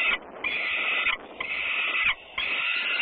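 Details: Peregrine falcons at Włocławec, Poland, on a Sunday afternoon, 6 June 2010: three long, harsh, grating calls, each lasting almost a second, come about once a second with short gaps between them.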